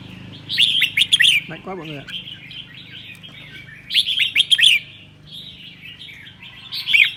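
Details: Red-whiskered bulbul singing 'ché' on a cold day in Sơn La, Vietnam. Bursts of quick, bright, chattering notes repeat roughly every three seconds. A man's voice briefly cuts in between phrases.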